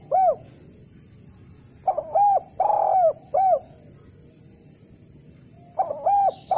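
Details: Eurasian collared dove with a 'kuk 1' training call for lazy captive doves. A clipped final coo is followed by a full short-long-short phrase of hollow coos, and a new phrase begins near the end. Faint high hiss in the background.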